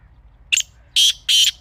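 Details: Wild black francolin, known as kala teetar, heard in Pakistan: a brief clipped note, then two longer, harsh, buzzing notes in quick succession.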